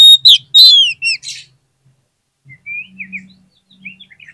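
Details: Oriental magpie-robin (kacer) song meant to provoke silent birds into replying: a loud opening of sharp, descending whistles, then softer, rising, chirpy notes after a short pause, over a faint low hum.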